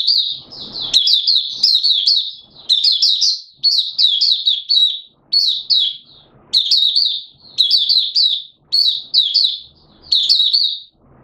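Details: Malaysian Oriental white-eye (mata puteh) in 'buka sing' full song, Singapore, 29 March 2023, warm humid weather with sudden showers: rapid high warbled phrases of twittering, slurred notes, each burst lasting about a second with short pauses, a brief low rumble at the start.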